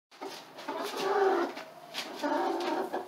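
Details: Rooster calling a hen over to a tarp where she can lay an egg: a low, drawn-out harmonic croon that swells twice, with soft rustling behind it.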